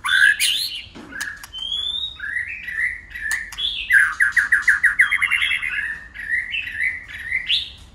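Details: Many-voiced dueling song from a white-rumped shama: mixed whistles and clicks, a pure sustained note, then a rapid bubbling trill of about a dozen notes before flowing whistled phrases.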